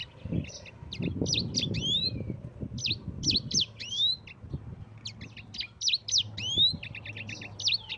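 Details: Yellow-fronted canary used as a training voice for other birds, singing clipped phrases of piercing chirps and sweeping slurred whistles, broken by short gaps, with scattered low thuds in the background.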